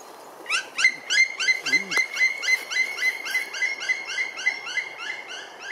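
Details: Black woodpecker in De Bilt, Netherlands, on 20 February 2024, giving a fast, ringing series of harsh, arched notes, about three or four a second, over a faint steady high whine; the recording includes drumming and flight calls.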